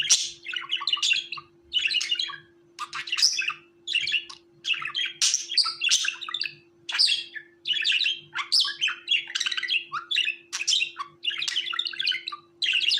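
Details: Caged budgerigar chattering continuously for over ten seconds, quick scratchy and whistled notes in short dense bursts about every half second, with a faint steady hum underneath.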